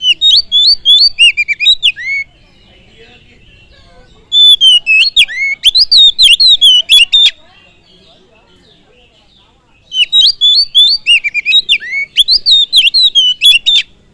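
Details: Oriental magpie-robin song for provoking other birds: three loud bursts of rich, varied whistles, rapid chips and down-slurred notes, about four per second, separated by short quiet gaps.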